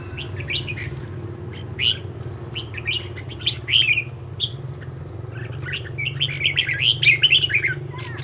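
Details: Red-whiskered bulbul kept as a training decoy, singing short bright warbled phrases scattered through the recording, some clustered near the end, over a steady low hum.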